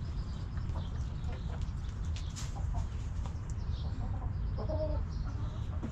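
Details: Backyard chickens resting in their cozy coop let out a short run of nasal clucks late in the recording, with faint scattered clicks and a heavy low hum throughout.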